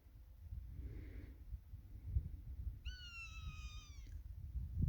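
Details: Swainson's hawk, suspected, calling from overhead near a possibly injured or juvenile raptor, giving one thin, high, whistled scream lasting about a second and slightly falling, after a fainter call, over steady wind rumble.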